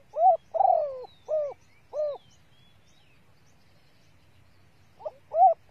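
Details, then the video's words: Female spotted dove call meant to excite males as a lure: a run of four deep coos, the second long and falling, then silence and the phrase starting again with a lead-in and strong coo. "TIẾNG CU GÁY MÁI SIÊU NHẠY DÙNG KÍCH BỔI KHÓ TÍNH | CU GÁY MÁI KÍCH TRỐNG NHANH NỔI"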